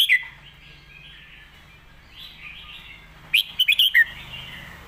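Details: Red-whiskered bulbul in loud, clear master-song style: one brief note opens, then after a quiet stretch of faint background twittering comes a quick burst of four or five sharp, liquid whistled notes.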